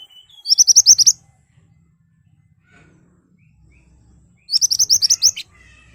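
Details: Lively ashy tailorbird giving its sharp, piercing song, used to lure other birds into replying: two fast bursts of about seven high, clipped notes, roughly four seconds apart, with faint low background hum between them.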